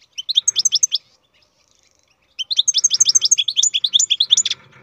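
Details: Captive-bred European goldfinch singing: bright, twittering bursts of quick repeated high notes, a short phrase, a one-second pause, then a longer, denser run ending in a buzzy note.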